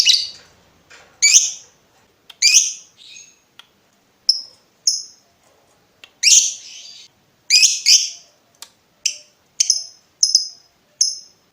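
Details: Lovebird calling, from a recording meant for training other birds: scattered harsh high squawks and short sharp chirps, irregularly spaced with brief silences between them.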